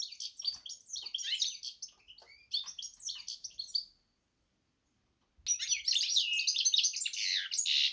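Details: Song of a goldfinch and canary hybrid: two bursts of high, rapid twittering and warbled notes separated by a silent gap of over a second.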